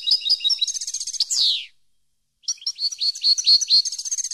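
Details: Captive-training song of a European goldfinch: rapid, high, tinkling twitters that close with a drawn-out, descending nasal buzz, then a short silence before another bright, rattling twittered phrase begins.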